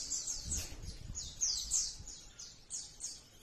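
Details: Crimson sunbird song used for training captive birds and luring them to sing, delivered as a rapid 'nembak' style with rich fills: very high, thin downward-sweeping chirps repeated about three per second, with low rumbling background noise.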